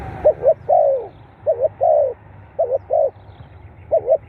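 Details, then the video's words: Spotted dove call played to get captive birds calling: a rapid series of phrases, a soft double coo then a longer falling note, repeated four times in close succession above a faint low hum. "เสียงนกเขาใหญ่ เปิดกระตุ้นนกชำ ขึ้นไว"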